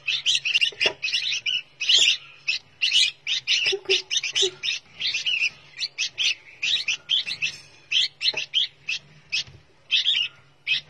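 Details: Young captive red-whiskered bulbul, a fledgling ready to go to a new owner, calling constantly with short, harsh, buzzy chirps, roughly two a second, high-pitched and insistent, with a faint low hum underneath.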